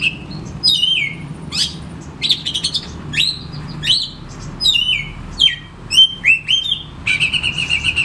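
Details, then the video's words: Oriental magpie-robin singing in a lure recording for reluctant singers. A rich mix of loud downslurred whistles, harsh clicking bursts, and varied phrases, closing with a fast repeated buzzy series. Quiet hum in the background. "Sekali Putar Kacer Macet Bunyik Langsung Bukor Bongkar materi"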